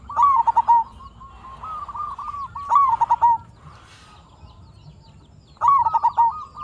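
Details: Zebra dove, a local bird singing freely and used as a lure to make other zebra doves respond: three loud cooing phrases, each a rising note breaking into rapid bubbling pulses, about three seconds apart, with a quieter steady trill between them.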